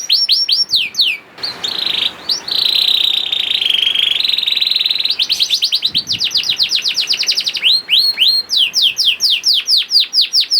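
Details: Juvenile canary song used to coax silent canaries into full song: opening down-sweeping whistles, then a long, dense buzzy roll lasting about three seconds, followed by quick repeated swooping notes.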